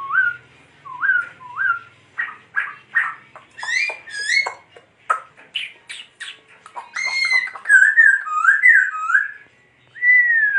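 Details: Laughingthrush singing while dancing, giving rising whistled notes repeated three times, then rapid buzzy chattering phrases and rich warbled whistles that slur downward, ending on a long falling whistle.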